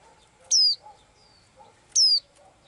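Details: Two strong, downward-gliding whistles, about a second and a half apart, from a blue-eyed little bird that sings every day; quieter, lower chirps sound between them.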